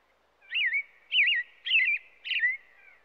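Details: Robin delivering four clear, looping whistled phrases, each rising and falling, spaced roughly every half second with short gaps between them and no other sounds.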